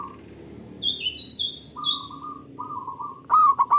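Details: Zebra dove of local stock, loud and long-voiced, recorded as a lure for other doves: drawn-out purring trills ending in a sharp stuttered burst, with a higher-pitched songbird whistling early on.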